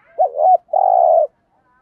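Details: Gù thúc lure cooing of a spotted dove, meant to rouse trained birds: a quick wavering double note flows into a sustained, rough-textured coo lasting about half a second, then silence.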